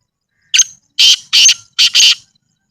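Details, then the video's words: Black francolin (kala teetar) calling in a natural village setting: a loud, harsh, grating phrase of five rasping notes over about one and a half seconds, the last two run close together. Otherwise quiet. "Kala Teetar Ki Awaz | Black Francolin Voice"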